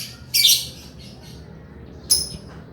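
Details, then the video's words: Male lovebird in full chattering song: two short, harsh, high squawky bursts about two seconds apart, the first longer and noisier, over a faint low background hum. "SUARA BURUNG LOVEBIRD GACOR JANTAN"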